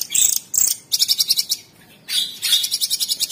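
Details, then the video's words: A Stripe-throated Bulbul (cucak cungkok) in a master recording gives loud, high chirps, then two fast bursts of sharp repeated notes, about six or seven per second. "TEMBAKAN ISTIMEWA CUCAK CUNGKOK SUPER GACOR"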